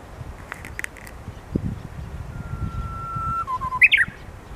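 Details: Japanese bush warbler singing energetically around 12:40 on 29 March in Hirakata, Osaka: a long, steady whistled note, a few lower slurred notes, then a sharp, loud, high flourish at the end, over a low background rumble.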